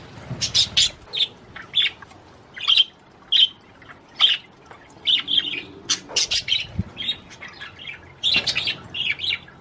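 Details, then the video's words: Budgerigar song meant to stimulate the female to mate: sharp, bright chirps repeated roughly every half second, interspersed with scratchy chatter and clicks, growing denser toward the end. "تغريد طير البادجي لتحفيز الأنثى على التزاوج"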